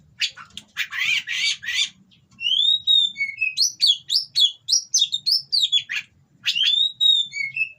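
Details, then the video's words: Captive-bred Oriental magpie-robin singing a 'kacer kawin' mating song with harsh material, used as a training song to provoke rival birds: about two seconds of raspy, buzzy bursts, then a fast run of sharp, varied whistled notes after a brief pause. "Burung Kacer Kawin Bongkar Materi Kasar Bikin Lawan Langsung Emosi / Masteran Kacer Gacor"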